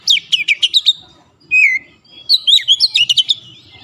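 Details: Short Oriental magpie-robin (kacer) song phrase for stressed birds: a string of quick high chirps, one drawn-out falling whistle, then another rapid chattering run of bright notes.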